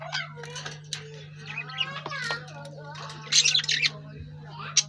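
Lovebirds give rapid, scratchy chirps and harsh squawks in bursts, some several at once, over a steady low electrical hum.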